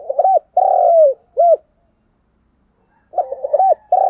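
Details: Lure spotted dove cooing hard and steadily, its low hollow phrase of choppy short coos, a long descending coo and a brief closing note given twice with a short silence between.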